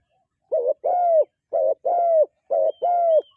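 A dove gives soft, hollow coos in pairs, a short note then a longer one, repeated about once a second, with no other sounds.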